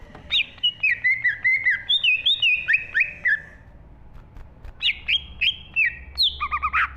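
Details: Cucak ijo, the green leafbird, singing steadily in the 'gacor full isi' style: bright, high whistled phrases of rapid slurred notes, a short pause, then more phrases ending in a rough chattering burst. Faint low hum underneath.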